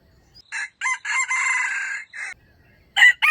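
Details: Wild chicken kept as a trap bird, crowing in its standard voice, recorded 05/07/2025: a harsh, broken crow of several clipped syllables with a longer drawn middle note, then a second crow starting and cut off, no other sounds.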